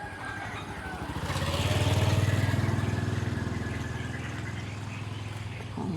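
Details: A motorcycle or vehicle engine drones and rises during a morning walk outdoors, with a steady low throb and faint voices; no animal calls stand out.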